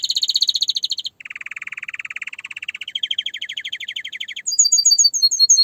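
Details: Canary song made of fast rolling trills that shift pitch in steps, from a mid trill to a lower rattle, a higher buzzy run, then crisp repeated high notes.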